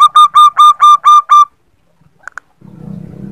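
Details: Female zebra dove call used to prompt males into song: seven rapid, staccato cooing notes in a tight series lasting about a second and a half, followed by a pause, two faint clicks and a low rumbling noise.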